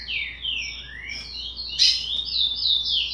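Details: Young curió, 60 days old with its song not yet formed, giving a few drawn-out whistled slurs that rise and fall, then a harsh burst and thin high notes, somewhat quiet over a low hum.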